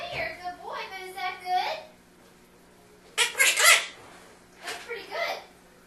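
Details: A pet Quaker parrot (monk parakeet) in Maryland talks in a clear, voice-like imitation of human speech, saying phrases like "nice to meet you" and "that's pretty good," then gives harsh squawks.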